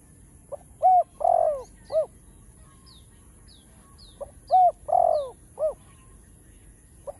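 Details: Spotted dove cooing its full chiêu, thúc and gù song, meant to spur newly caught doves into cooing; two phrases of rounded hoots around a loud long coo, with faint thin high chirps of another bird between them.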